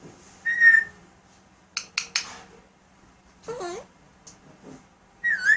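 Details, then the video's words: Pet Alexandrine parakeet in a quiet room, talking and imitating sounds: a pure whistled note, crisp clicks, a warbling wavy phrase, and a final bending whistle, with a faint low hum beneath. "talking and sound effects"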